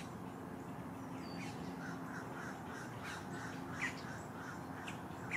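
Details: Three green heron chicks in a nest at Lake Hollingsworth, Lakeland, Florida, fight for food, grabbing at parents' beaks, giving harsh, scratchy begging calls in short repeated bursts over a steady low hum and background noise.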